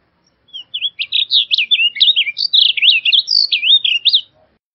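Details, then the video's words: Blue grosbeak song: a rapid, warbled run of short rising and falling whistled notes at high pitch, about fifteen notes strung together over roughly four seconds, clear and unaccompanied. "Blue Grosbeak Singing - Azulillo Grande Cantando"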